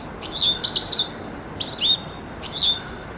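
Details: White Wagtail calling on its November territory, which grows lively with youngsters ahead of winter: three bursts of sharp, high two- and three-note chirps spaced about a second apart over a quiet background.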